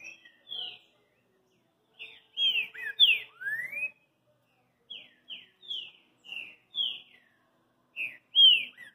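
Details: Green-winged saltator in boi da fita style, delivering rich whistled notes, some rising and some falling, grouped into short phrases with silent gaps, a soft muttered sequence midway and a clean background.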